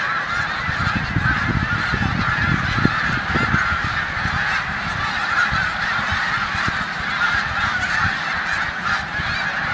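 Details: Flock of snow geese feeding and resting in a corn field in Savannah, New York, March 2020, before heading to the Canadian tundra; continuous overlapping honking over low rumbling wind or handling noise.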